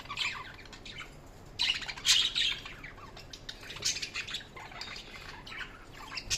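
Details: Budgerigars give scratchy high chirps and warbling chatter in uneven bursts, the loudest around the middle, with softer chirping filling the gaps.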